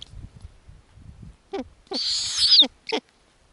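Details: Snowy owl young on an Arctic nest as the mother feeds them lemming: low shuffling noise, then short squeaky notes around one loud, harsh hissing screech that ends in a descending slur.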